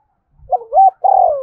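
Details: Spotted dove giving the prodding 'gáy thúc' coo, used to make captive birds coo in reply. A quick rising double note leads into a long, mellow, gently falling coo, with a soft low thump underneath.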